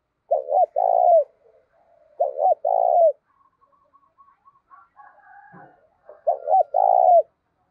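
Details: Spotted dove kept as a decoy to draw in wild doves, cooing in the 'giọng thổ' style: three soft phrases, each two quick notes then a drawn-out descending coo, with quiet twittering between the second and third.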